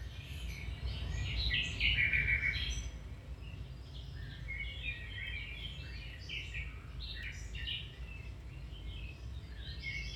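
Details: Song of a domestic canary, recorded for training other canaries to sing; varied high whistles and chirps with a fast rattling trill near the start, continuing in lively phrases over low background hum.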